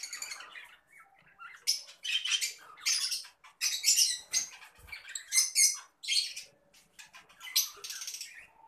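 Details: Adult green Fischer's lovebird, a caged pet bird, giving a rapid series of shrill, harsh squawks and chirps in bursts, loud chattering alternating with brief pauses over several seconds.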